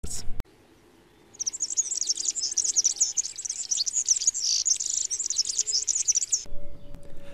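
A European serin sings a fast, high, jangling stream of buzzy, tinkling notes for about five seconds, like a squeaky rusty wheel; faint background hum.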